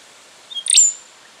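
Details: Song phrase of a rufous songlark, Victoria, Australia, September 2011: a soft thin note, then a sudden loud, ringing, chirpy burst ending in a high drawn-out whistle, against a quiet background.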